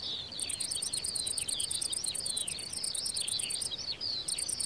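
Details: Eurasian skylark song, a continuous stream of high, rapid chirruping and warbling notes, accompanied by a very high, evenly pulsed ticking, over steady background hiss.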